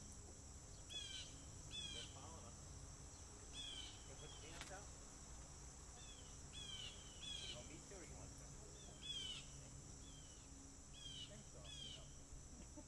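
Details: Several blue jays calling around a water deck railing, recorded by a trail camera; scattered harsh, falling squawks, often doubled, continue throughout, with a sharp knock midway and a steady background insect buzz.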